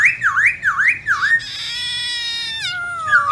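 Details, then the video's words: Black-throated laughingthrush singing a varied wild-type song, used to stimulate captive birds: four quick swooping whistles, falling then rising, then a long ringing whistle that steps down in pitch. "Khướu bạc má Hót Giọng Rừng Nhiều Giọng Cực hay"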